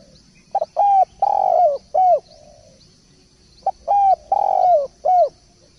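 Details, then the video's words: Spotted dove, called derkuku or tekukur, singing actively as a training recording: two phrases about three seconds apart, each a short lead note and then three or four soft, low cooing notes. A steady high hiss runs underneath. "Masteran Derkuku / Tekukur gacor poll"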